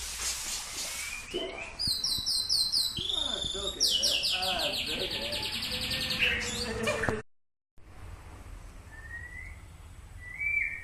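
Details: White-rumped shama training session, Samadua: dense high trills and rapid repeated chirps for about seven seconds, a brief cut to silence, then two thin rising whistles against low background hum.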